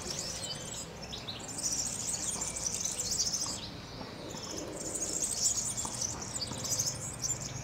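A European serin sings a very high, fast, sizzling jingle in two long bursts of a couple of seconds each, over a low background rumble.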